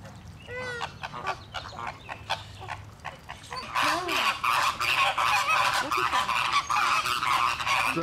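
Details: Caribbean and Greater Flamingos, a loud flock in which fights break out, give goose-like nasal honks: first a few scattered calls, then a dense, overlapping chorus of harsh honks from the crowded flock.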